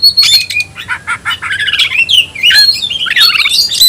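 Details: Caged kacer, or oriental magpie-robin, delivering tayoraky-style song: chattering repeated notes building into rolling, warbled whistled phrases and a high thin whistle at the end.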